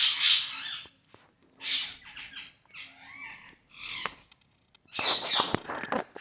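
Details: Parrot playing, recorded August 26, 2023: harsh, broadband squawks in uneven bursts, with a loud opening screech, a rough raspy middle phrase, and a crackling clatter of short notes toward the end, separated by brief quiet gaps indoors.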